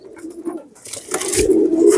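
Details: Pakistani teddy pigeon chicks, just acquired, kept indoors: a low, steady cooing hum swells through the second half after quiet shuffling, with brief rustling clatter overhead.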